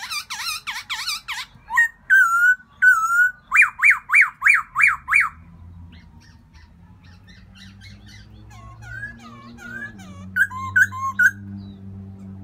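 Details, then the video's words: In spring, a black-throated laughingthrush calls for a new mate with rapid, harsh wavering notes, short whistles and a run of bright repeated notes, then quieter twisting whistles over a low steady hum. "Black throated laughing thrush welcoming Springtime"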